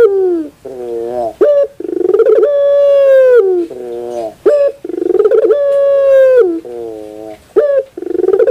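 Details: Puter bird, a collared dove, singing loud nasal coos: a short note, a quick stuttering pulsed roll, then a long steady drawn-out coo that sags at the end, the phrase repeated about every three seconds in a quiet room.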